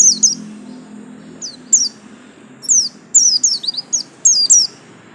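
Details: White-eye kept as a songbird, scattered high thin chips and falling slurred notes, irregular at first, then a quicker cluster of twittering notes toward the end.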